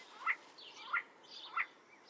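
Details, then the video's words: See-see partridge (Ammoperdix griseogularis) giving three clear, piping whistled notes spaced roughly two-thirds of a second apart, each a brief two-part rising note, with faint higher chirps between them and a quiet hiss behind. "See see partridge (Ammoperdix griseogularis) call and song"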